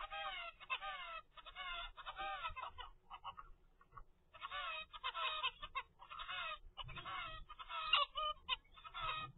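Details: Twenty-five-day-old captive zebra finch youngster calling in rapid, harsh nasal bursts with bending harmonic notes, grouped in runs separated by brief gaps.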